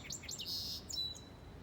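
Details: Unidentified bird in a small tree in a park on a July afternoon, giving short high chirps followed by a longer thin buzzy note, over a low background rumble.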